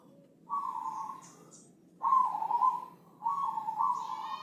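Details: Thick-voiced Javanese Senin Mataram zebra dove, a master recording for training birds: three sustained, slightly wavering coos, each about a second long with gaps between. Faint higher chirps are heard in the background.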